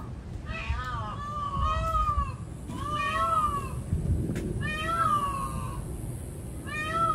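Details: Peacock calling: a series of drawn-out, nasal, wavering cries rising and falling, each about a second long, repeated five or six times at fairly even intervals over a steady low background rumble.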